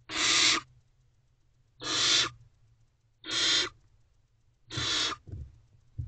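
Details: Wild barn owlet in a nest box, filmed on a May morning, giving long rasping hisses, each about half a second and broad like escaping steam, four in a row roughly every second and a half, with faint shuffling between.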